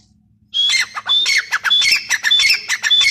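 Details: Grey partridge (teetar) bursting into fast, harsh, repeated calls after a short quiet start, with a thin rising whistle over grating, crackling notes at a rapid, slightly irregular pace.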